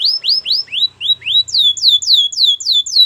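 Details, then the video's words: Canary's powerful training song: loud rising whistled notes about three per second, then a sequence of high downward-sweeping slurs in an even, regular rhythm. "Canary training champion song!! Canary's most powerful song for training"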